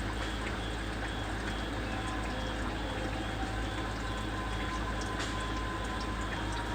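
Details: Continuous liquid sound like pouring or boiling water, with low rumble and faint high ticks; no animal voice is heard.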